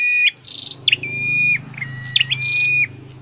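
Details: A caged scarlet-headed flowerpecker in singing training gives two long, flat, pure whistles. Each is introduced by sharp high flicks and a buzzy burst, with a low steady hum beneath.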